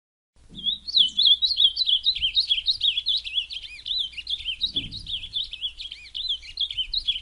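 An Ultramarine grosbeak sings a fast, continuous, high warble of sliding, slurred notes for about seven seconds. Faint low thumps sound in the background.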